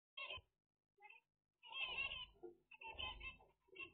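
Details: Zebra finches giving short bursts of nasal, buzzy calls with bright upper overtones, in irregular clusters separated by brief silences, some overlapping.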